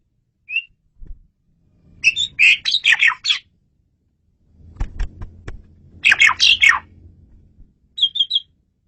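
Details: Jalak suren, Asian pied starling, singing for bird luring: two bursts of harsh, squawky chatter mixed with whistled notes, separated by a pause with low background rumble.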